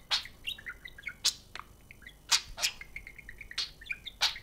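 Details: Pet budgerigars kept indoors in a cage: short sharp chirps and warbling high notes, several bright bursts spaced about a second apart with softer chatter between them.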